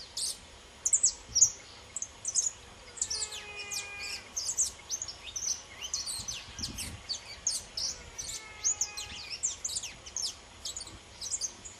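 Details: Saffron finches (subspecies pelzelni), singing free, in bursts of sharp high chirps and chips with a few lower whistled notes sliding down, overlapping as though several birds are calling together.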